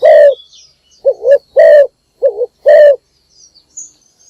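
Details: Spotted dove calling in the morning as a lure for other doves: a long low coo, then alternating short double-humped notes and fuller drawn-out coos, with faint chirping from other birds.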